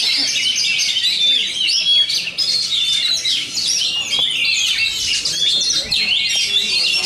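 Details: Champion Oriental magpie-robin (kacer) competing at a songbird contest in Bogor, Indonesia, singing fiercely with loud volume; dense, rapid whistled and chattering phrases, high-pitched and continuous, overlapping with other contest birds.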